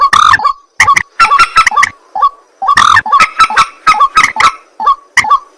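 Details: Calling at night, a white-breasted waterhen opens with a loud nasal squawk, then a string of short, gruff croaks, pauses, and repeats the squawk and croak sequence.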